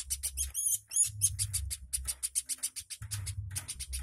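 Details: An energetic woodpecker calls in a tutor recording for other birds: rapid, sharp, high ticks repeated nearly four times a second, opening with a couple of twisting squeaky notes, over a constant low rumble.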